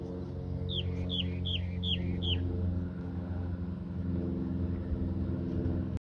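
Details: Wren singing in Palmer Park, kind of wren unknown: five quick repeated notes, each a sharp high note dropping into a lower flourish, given in about two seconds, then no further song over a steady low hum.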